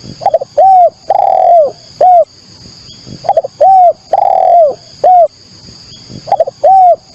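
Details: Lure recording of a spotted dove: soft, hollow coos in repeated phrases, a few quick notes then a longer falling coo, over a constant high-pitched hum.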